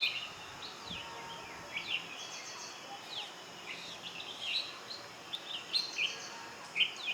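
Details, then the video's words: Bulbuls in their natural habitat trading quick, bright chirps and short downslurred notes, several birds overlapping in loose, intimate chatter against a soft outdoor hiss. "bulbuls,intimate conversation"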